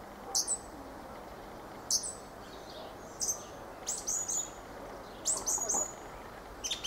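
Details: Fieldfare song: short, squeaky high notes given in scattered bursts, some paired, with pauses of about a second between them over a soft background hiss.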